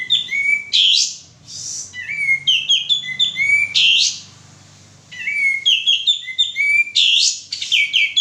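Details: Male sooty-headed bulbul singing vigorously, used as a lure to prompt other birds to sing: short phrases of rising whistled notes with sharp upslurs, broken by harsh buzzy bursts, with a quiet pause midway.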